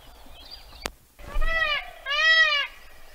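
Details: An Indian peafowl in Kaziranga National Park, Assam, giving its mating call during a courtship dance, utters two loud, nasal, wailing notes in quick succession, each arching up then down, after a single sharp click.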